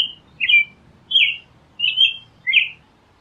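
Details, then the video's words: An American robin sings a run of short, clear, warbled phrases, about one every second or less, each a quick rising and falling carol, over faint background hum. "Canto!!! Tordo- Americano"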